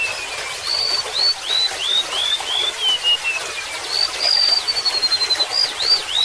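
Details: Golden-bellied gerygone, known locally as remetuk laut, singing over trickling water: thin, sweet whistled notes that step downward in a slow series, then a second, brighter run of high notes after about four seconds, with constant water noise beneath.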